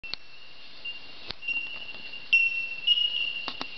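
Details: Bellbirds in an Australian forest at dawn, seen in the treetops: a steady, high, pure ringing tone held almost continuously, with brief sharp clicks and soft knocks, and a voice speaking faintly.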